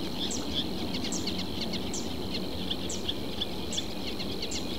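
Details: In a southern Portuguese reed bed, a reed warbler gives spaced, clipped high chirps in an uneven series, set against a continuous high-pitched drone and low rumbling noise.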